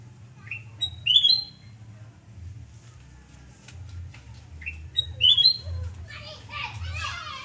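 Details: Sooty-headed bulbul at a house in Surabaya, morning of 29 November 2017. A short rising note and a bright climbing whistle phrase, repeated about four seconds later. A harsher, chattering burst of sound follows near the end over a steady low hum.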